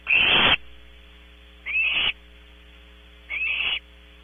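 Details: Young Barn owls at their nest at Audubon Starr Ranch, California, recorded by a nest camera: one loud, long breathy screech followed by two shorter, softer ones, spaced about one and a half seconds apart, with a steady background hum.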